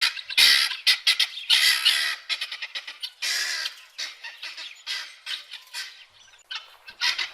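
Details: Loud, harsh, rasping cackles from a guinea fowl in irregular bursts, strongest early on and fading to quieter, scattered squawks near the end.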